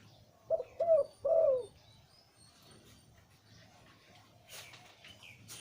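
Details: One cooing phrase from a deep-voiced zebra dove breeding male of the liu tan type: two quick low notes and a drawn-out rolling coo sliding downward, followed by quiet and a brief rustling noise.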